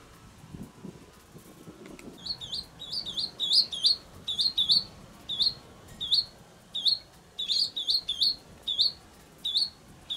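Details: Swallow nestlings at the nest on a sunny 8 April 2020, a few days before expected fledging, as parents feed them. High, sharp chirps come in quick, uneven bursts, often several overlapping, about 80 per minute, over a faint low hum.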